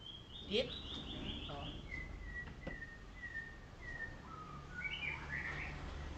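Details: White-rumped shama of the golden shama type, sunned in the morning, gives clear whistled notes: a high opening phrase, then a run of level, slightly falling whistles and a final rising flourish, with faint voices and low background hum.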